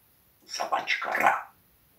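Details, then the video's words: Pet parrot talking indoors, swearing at the cat: one husky, speech-like phrase of several quick syllables lasting about a second, in a quiet small room. "Попугай матерится на кота"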